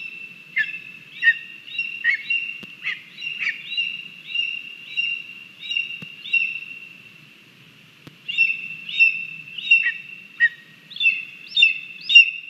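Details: Lesser spotted eagle chick at a Latvian nest on 17 August 2022 during a morning feeding with frogs and a vole, giving rapid high whistled yelps, about two per second, with a pause midway before the calling resumes.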